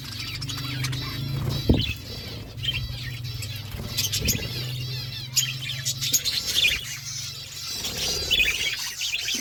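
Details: Many budgerigars feeding as a flock: rapid wavering high warbles and chirps overlap without pause, with occasional thumps and a low hum beneath.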